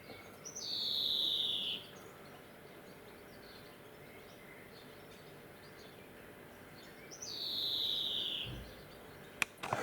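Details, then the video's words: A male European greenfinch in a garden gives its wheezing call: two long, buzzy, nasal wheezes sliding slightly downward, about six seconds apart, over a quiet outdoor hush. "GREENFINCH MALE WHEEZING"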